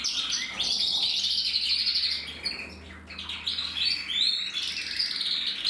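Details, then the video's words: Male red-black mosaic canary from a German breeding line, recorded in 2024, singing a continuous high warbling song of rapid trills and buzzy rolls, with a short dip in volume midway before resuming, and a faint low hum beneath. "Kanarienvogel Rot-schwarz mosaik"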